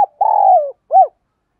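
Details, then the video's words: Decoy spotted dove, "giọng thổ" singing style, used to provoke other doves: a long rough coo sliding downward followed by a short rounded coo, no other sounds. "Chim Cu Mồi Kích Bổi Hay. cu gay kich boi nhanh noi gù"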